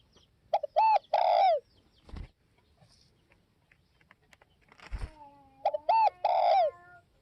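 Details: Northwest Vietnam spotted dove cooing twice, each a quick note and two longer falling coos. Between the phrases come knocks and a steady thin whistled tone.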